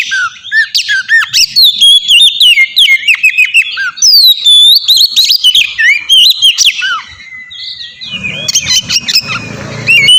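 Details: Oriental magpie-robin song used as a lure for untrained birds to answer: long, dense run of fast whistles, slurs and chattering notes, ending with a burst of noisy rustle and a lower sustained whistle.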